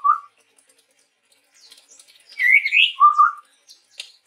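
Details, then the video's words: Sumatran forest chestnut-rumped babbler, male, singing: a short low whistle, soft twitters, then a rising slurred whistle followed by a lower wavering whistled note. "suara burung tepus tunggir merah gacor"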